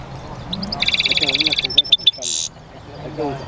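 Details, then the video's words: European goldfinch mule in a cage singing a rapid pulsed trill followed by three sharp clicking notes and a harsh buzzy burst, with low background voices afterwards. "European Goldfinch mule singing"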